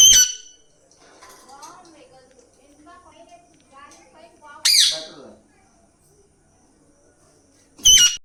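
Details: Pet Alexandrine parakeet in its natural voice, giving three loud, harsh, brief screeches at the start, middle and end, separated by quieter murmured vocal sounds and soft human speech.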